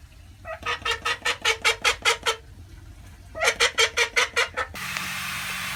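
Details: A female call duck at a Saitama high school quacks in a fast, evenly spaced series of about ten loud nasal notes, pauses, then repeats a shorter run before a hiss of noise takes over.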